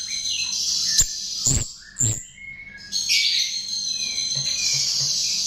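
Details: Chestnut-tailed starling song used as a lure: high, dense chattering and buzzy trills with sharp clicks, brief pauses, then a sustained shrill warbling stretch.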